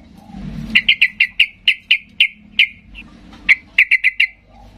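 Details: Excited yellow-vented bulbul calling to trigger replies from silent birds: a run of clear, separate, sharp notes at a bright pitch, roughly three to four per second, a brief gap, then a quicker burst of four notes.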